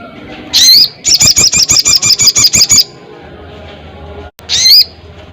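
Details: Crested jay calling loudly for a rival. A single shrill, wavy whistle comes first, then a crisp rattle of about ten evenly spaced pulses, a quiet pause, and another high whistle.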